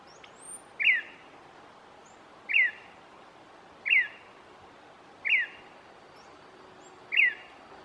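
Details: Gray-breasted wood-wren singing in the undergrowth of tall pine forest, Cusuco National Park, Cortés, Honduras, in April, agitated and curious after playback; short sweet whistled phrases repeated about every one and a half seconds, five times.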